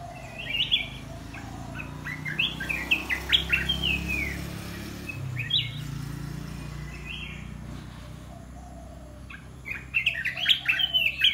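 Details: Caged red-whiskered bulbul singing a blend of the Dok Taeng and Ta Daeng song styles: short bright warbled phrases in bursts, with a pause mid-clip and a busier cluster near the end, over low steady background hum.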